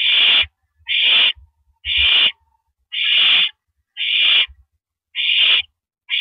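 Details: Evening on April 9, 2012, 8:17 PM, an owl sitting on a porch perch gives slower, separated hissing screeches, roughly one per second, each harsh and breathy, with faint low knocks in the background.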